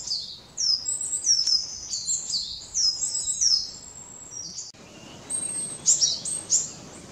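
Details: Japanese tits (Parus minor) in mountain forest giving thin, high chips and short downslurred notes in quick, uneven bursts, several birds apparently calling at once over faint outdoor hiss.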